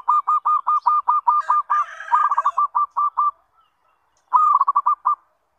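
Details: Zebra dove (perkutut) calling as a lure for other zebra doves: fast runs of short, hooked cooing notes tumbling one after another, a brief pause, then another quick burst of the same clipped notes.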